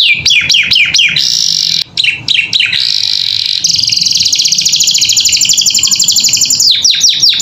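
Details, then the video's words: Canary master song for tutoring pet birds: quick chopped down-slurred whistles, then a long, fine, rapid buzzing trill, closing with a few sharp falling notes. "Masteran Kenari Gacor Isian"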